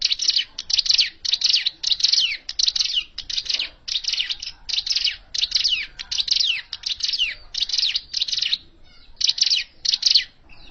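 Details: Hill prinia call used as a lure for bird trapping: dense bursts of scratchy, chirping notes, each about a third of a second long, repeated rapidly in a steady series with short gaps and a brief pause near the end.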